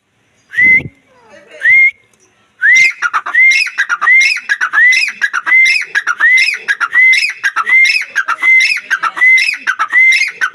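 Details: Black francolin, named as Sindhi teetar, calling: two lone rising whistled notes near the start, then a fast run of sharp rising whistles with buzzy overtones, repeated more than once a second and steady through the rest.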